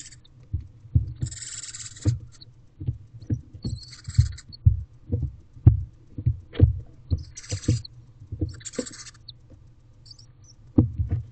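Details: Young barn owls together in a nest box on 9 May 2023 around 12:26 pm give repeated rasping hiss bursts, each lasting under a second, amid a regular series of dull thumps and low rumble inside the box.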